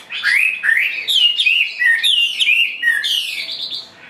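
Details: Loud, close song from a caged, partly wild-caught Chinese hwamei that spreads as it sings: rich, rolling whistled phrases with quick upward and downward slurs, steady and full throughout.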